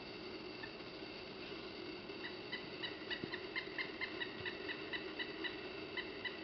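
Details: A male Pileated woodpecker approaching a suet log gives a run of short, clipped wuk notes, about two a second, over a steady low hum, calling to warn a nearby Blue Jay to stay away.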